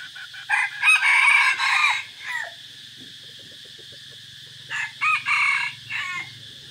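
Two short, hoarse crows from a junglefowl, each a quick run of rough, strained notes, separated by several seconds of quiet background.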